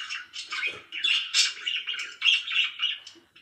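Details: Happy pet budgies chattering continuously, with rapid scratchy chirps and warbles coming in quick uneven bursts, several per second, and no other sounds.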